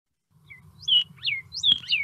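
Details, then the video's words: Northern Cardinal in the southeast Arizona desert in winter gives a clear, siren-like whistle, four quick slurred notes sweeping up then down in two seconds, over a faint low hum. "quite often while you're walking out there you'll hear that sort of siren type sound from the northern cardinal"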